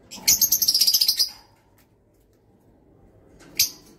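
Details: Kakariki producing a rapid, shrill chattering series of about a dozen high notes in just over a second, followed after a pause by one further sharp note.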